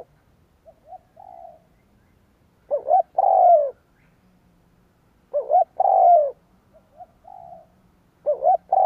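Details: Spotted dove decoy cooing to entice wild doves: three loud deep phrases, each two quick hoots and a long falling coo, alternating with softer short coos, roughly every three seconds.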